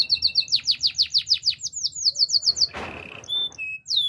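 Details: Canary song, relaxing and melodious: a quick series of sharply descending whistled notes repeated about five times a second, then a burst of noise and scattered short clear whistles.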